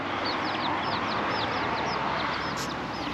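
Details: Baby chicken chicks on fenced-off wasteland in Magaluf, Mallorca, on a windy 31 December, give rapid, high, thin peeps, several a second, each a quick arched chirp, against a steady broad hiss of wind noise.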